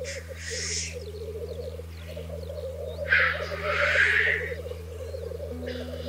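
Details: Black grouse males at a lek, or singing arena, in 2023, where fights precede mating: continuous low bubbling rookooing, with loud hissing sneeze-like bursts near the start and in the middle over a steady low hum.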